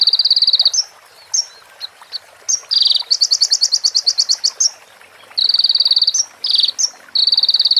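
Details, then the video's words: Sunbird training recording with prinia and ciblek fill-ins, used to teach songbirds. Steady high buzzy bursts alternate with scattered sharp chirps. A fast pulsed trill runs through the middle, and the buzzy phrases return at the end. "MASTERAN KONIN FULL ISIAN PRENJAK BETINA SAMBUNG CIBLEK BREN JERNIH JEDA ORIGINAL DARI SUARA KONIN"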